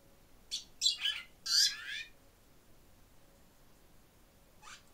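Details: Pair of barn swallows beside their nest, a pair that returns each spring and raised two broods; a few sharp, high twittering chirps in a quick cluster, then silence and one more faint chirp.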